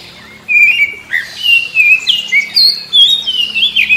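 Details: Oriental magpie-robin singing in the morning, answering other magpie-robins: clear, loud whistled phrases sliding between high notes, rising and falling in quick varied bursts, with short squeaky notes between them.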